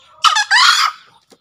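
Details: Green junglefowl crowing, a recording used as a model call for newly caught or quiet junglefowl: a brief harsh burst, then a longer raspy, buzzy second note, both loud and close, with faint bird chatter before.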